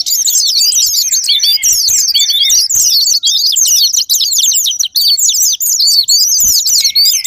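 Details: Japanese white-eye song played as a sparring-partner lure to make other white-eyes sing: a dense, continuous chatter of fast, high, twisting whistled notes rising and falling, with overlapping phrases and no pauses.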